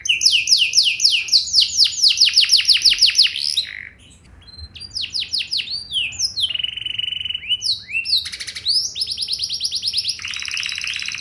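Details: Canary singing in an ornate, luxurious style to get other canaries to sing back: rapid downward-sweeping trills, a short silence, then mixed buzzy tours and swoops, finishing on a long steady buzzing trill.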